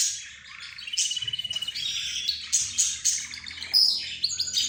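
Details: Chatter from budgerigars, zebra finches, the 'roz' bird and a canary, compared to birds talking among themselves; a fast pulsed trill, warbled phrases and thin high whistles overlapping.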